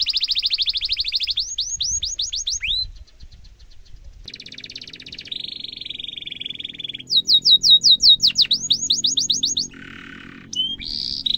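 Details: Canary song used as a tutor recording for young canaries to copy: rapid high trills, runs of down-slurred whistles, a steady buzzy rolled phrase and a lower rattling trill, changing tour every second or two, with a faint low hum behind.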